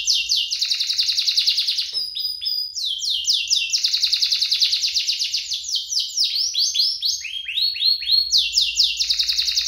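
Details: Two canaries in full song, played to prompt caged canaries to sing and to teach young ones: dense, loud rolling trills broken by a brief pause and clear tones, then slurred sweeps and more fast rattles.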